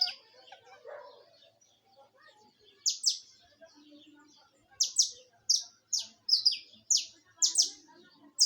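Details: Live song of a saffron finch: a few soft notes, one doubled chirp, then a steady run of high, sharp, downward-sweeping chirps roughly every half second.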